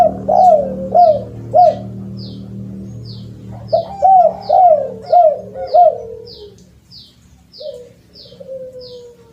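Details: Spotted dove cooing, used as a lure recording: a run of arched, rising-then-falling cooing notes, then a longer drawn-out falling coo. High, short, regular chirps tick steadily in the background and there is a faint low hum.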